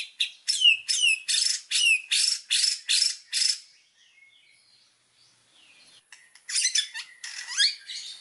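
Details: White-rumped shama singing actively, used as master song for training birds: harsh broadband notes repeated about twice a second, a quiet stretch with faint thin whistles, then more rasping notes and slurs.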